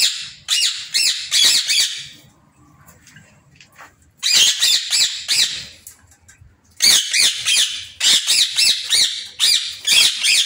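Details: Indian ringneck parrots in an aviary giving loud harsh squawks in rapid bursts of about six to eight notes, each burst separated by brief pauses, with faint low rumble in between.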